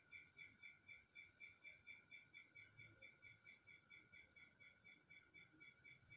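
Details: Red-wattled lapwing calling: sharp, harmonic notes repeated steadily about twice a second through the whole stretch, with a faint steady tone underneath and little other sound.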